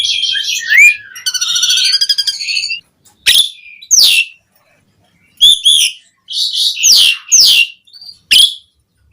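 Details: Black-collared starling song used as a lure and tutor for other starlings: harsh buzzy bursts, a rapid rattling trill, then separated loud squeaky whistled notes sweeping downward, with short silences between phrases.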